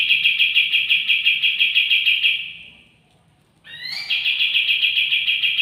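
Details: Wild-caught white-eye kept at home, starting to sing after two days: a long, fast, steady high trill of rapidly repeated notes, fading out, then after a short silence a rising sweep leading into another sustained trill.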